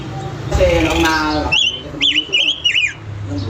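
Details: A pancawarna bird sings actively. Speech comes first, then a run of four loud, high whistled notes that swoop up and down, each about a third of a second long.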